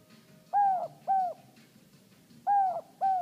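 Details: Pet male Inca dove, hand-raised from an egg and never exposed to his own species, gives the soft, hollow two-note "no-hope" coo twice, pairs about half a second apart, over a faint low hum.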